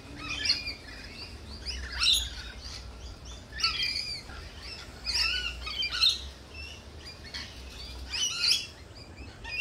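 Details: Lorikeets at a cafe: harsh, broadband screeching bursts repeated roughly every one to two seconds, several birds calling over a low steady background hum.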